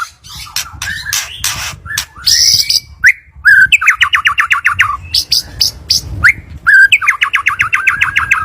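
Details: White-rumped shama song used as a lure to prompt another bird to sing: loud, varied phrases mixing harsh squawks, sharp whistles and two bursts of rapid, evenly repeated mid-pitched notes.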